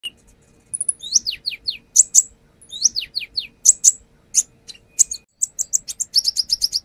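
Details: Brown-throated sunbird song used as a lure, the bird described as singing actively and showing off its repertoire: high thin chirps, fast descending whistled slurs in runs of three or four, then a rapid series of sharp repeated notes.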